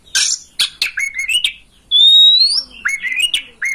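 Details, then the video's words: Oriental magpie-robin (kacer) master song, used to prompt a kept bird to open its tail and sing: loud varied chirps and sharp notes, then a long clear rising whistle, then more quick warbled phrases. "Masteran kacer agar ngobra"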